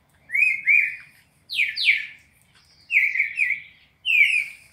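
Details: Red-crested cardinal, classic four-note song from Brazil meant for training captive birds: pure, high whistled notes in paired phrases, one pair dropping sharply, each group followed by a brief silence.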